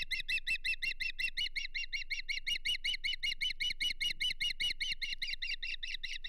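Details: Osprey at the Hog Island nest on a morning of 7 May 2023, around mating and a fish delivery: fast, evenly repeated bright chirps, almost three per second, each with layered overtones, continuing steadily throughout.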